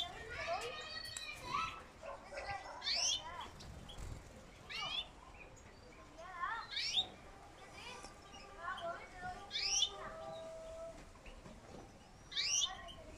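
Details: Several captive-bred 2020 European goldfinches, possibly young birds, calling together in quick, bright, tinkling chirps and sweeping twitters, overlapping in bursts every second or two, with faint voices in the background.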